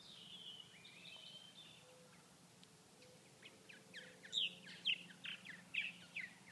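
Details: Inactive Purple Martins in cool weather (high of 39°F, no flying insects to eat) in Grand Forks, North Dakota, give a few thin, drawn-out whistles, then a quickening run of sharp, gurgling chirps about twice a second, over a low steady hum.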